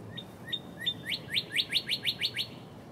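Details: Northern cardinal singing its early morning song at close range, filmed in March 2011: a few slurred whistled notes, then eight quick rising whistles repeated about every fifth of a second, in a quiet background.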